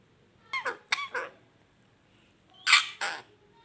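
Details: Pet parrot indoors making coughing and mating sounds: short paired harsh coughing bursts, two quick ones, then a louder broad raspy pair after a short pause.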